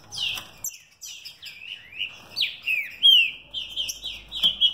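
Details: Bred mutation green-winged saltator in captivity, singing quickly: a string of downslurred whistles, then rising and falling clear notes in rapid succession ending in bright level whistles.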